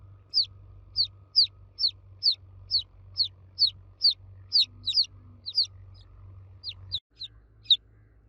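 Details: Chicks cheeping loudly for their mother hen, a quick series of shrill falling peeps, some doubled, about two to three a second, over a low hum that cuts out near the end.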